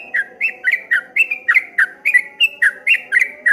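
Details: Streak-eared bulbul song in the ropel ngombak banyu style, with steady, evenly spaced chirps, each a quick down-slurred whistle, pouring out roughly four per second.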